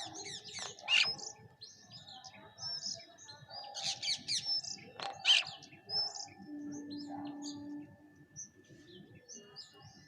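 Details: A bank myna feeding alongside pigeons gives harsh, chattering calls with sharp squeaky notes in irregular bursts. Other bird chirps and a low background rumble are also heard.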